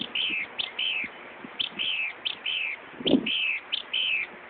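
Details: Car-alarm mimicry by a northern mockingbird in Buckland Park, Brighton, NY: clear, high, down-slurred whistled phrases repeated in quick pairs, with one dull low thump in the middle.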